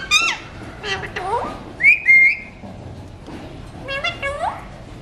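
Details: Non-stop talker: an Alexandrine parakeet of a talking mutation, busy with seeds, runs through varied syllables, some downward-sliding, two short level whistles near the middle, and a final pair of falling notes.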